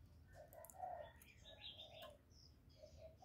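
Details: Spotted dove used as a decoy, cooing to challenge a wild dove; muffled low coo notes come in two bursts while several small birds chirp higher up.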